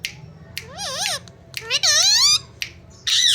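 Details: Talking Indian ringneck parrot indoors producing speech-like phrases: wavering, up-and-down tonal syllables with rich overtones, separated by short sharp squawks and a final harsh burst.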